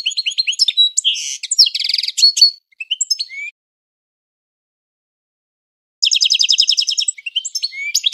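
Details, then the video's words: European goldfinch classic singing used as a training song for other birds: bursts of fast twittering and buzzy trills, a brief rising whistle, a three-second pause, then a rapid rattling trill. Clean recording, no other sounds. "Goldfinch 12h Training Song - Amazing Classic Singing"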